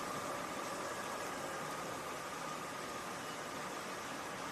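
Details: Steady idling engine hum under a dense broadband hiss, with a faint tonal whine running throughout and no animal voices.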